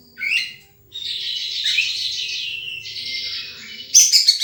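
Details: Wild sunbird starting with a quick high chirp, then a dense buzzing trill that drops slightly in pitch, ending with a loud burst of rapid sharp notes.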